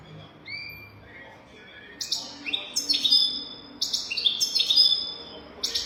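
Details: European goldfinch song in a 'golden throat' style, used for teaching young goldfinches: thin pure whistles at first, then a bright run of high, buzzy, tinkling bursts and sliding notes that grows louder toward the end.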